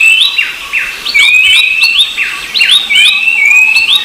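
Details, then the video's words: Rufous-browed babbler, Black-capped babbler, recorded with Horsfield's babbler: dense overlapping whistled notes, each sliding up then levelling, repeated in quick phrases about every half second, with several birds seemingly calling together. "Suara Burung Berisik || Pelanduk Semak & Pelanduk Topi Hitam"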